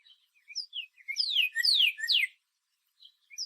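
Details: Northern cardinal song: three loud, clear whistled slurs sweeping steeply downward, preceded and followed by faint soft high notes, in an otherwise quiet recording.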